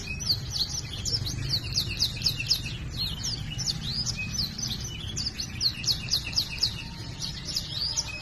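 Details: Gacor canary singing cuit cuit notes: a continuous stream of high, clipped, choppy chirps in irregular quick bursts, with steady low-frequency hum in the background.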